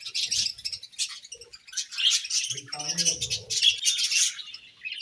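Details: Budgerigars in breeding season keep up a busy high-pitched chatter of chirps and warbles, with a short low humming or voice-like sound midway.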